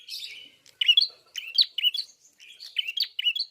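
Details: Klawu, the red-fronted prinia, delivering a fast series of high, sharp chirps and twitters in quick succession with small gaps.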